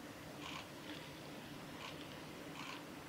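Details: At Lake Miyagase in Japan on 17 March 2018, a male Siberian long-tailed rosefinch on the Hayatogawa forest road utters three faint, brief piping notes against constant low-pitched noise.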